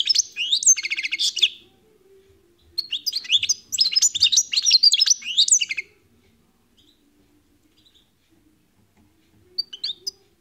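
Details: European goldfinch in full song: long, fast, jangling phrases of high twitters, slurred chirps and buzzy trills, separated by a short gap, then silence with a brief final twitter near the end.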